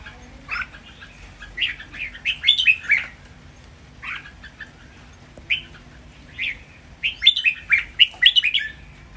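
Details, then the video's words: Three caged red-whiskered bulbuls compete in a spirited training song of counted phrases: short chirpy, warbled bursts come in clusters, with a long, fast, tumbling run at the end and brief silences between groups. "นกกรงหัวจุก เจ้าขุนอินทร์ VS เจ้าขวานฟ้า VS เจ้าขุนไกร เสียงร้องเล่นเต้นริกเบิ้ล นับดอก แม่บท"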